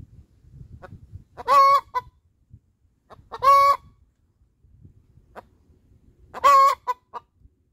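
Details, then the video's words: Laying song of a hen: three loud, strained, nasal squawks spaced roughly two to three seconds apart, each followed by a brief clipped cluck, with soft scratchy noises between. "Inyue victory hen laying song"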